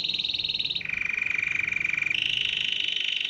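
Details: Canary singing, its song attracting many canaries, goldfinches and other wild birds: three rapid rolling trills in succession, high, then lower, then high again, each an even stream of fast pulses.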